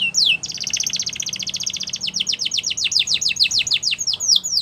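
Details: Canary song for stimulating other canaries to sing: a brief slurred note, a long rapid rattling trill, then a steady series of swept chirps repeated several times a second.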